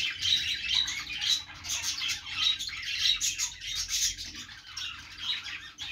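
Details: Budgerigars singing on a perch: continuous soft warbling chatter with rapid chirps and squeaky notes throughout, overlapping voices, over a low background hum.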